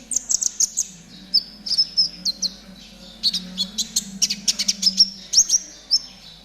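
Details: Caged spotted konin ('trotol') singing as training material for other caged birds; a lively, continuous string of high, piercing chirps and short whistled slurs, delivered in fast bursts with barely any pause.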